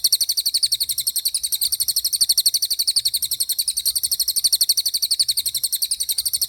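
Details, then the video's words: A racket-tailed treepie, or cililin, pours out a long continuous roll, a rapid, regular trill of piercing high notes about four per second, sustained without a break throughout. "Suara Cililin Gacor Roll"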